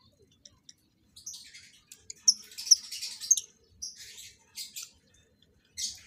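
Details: Lovebirds kept for breeding and being paired for mating give shrill, high chattering chirps in bursts of about half a second, separated by short pauses, indoors.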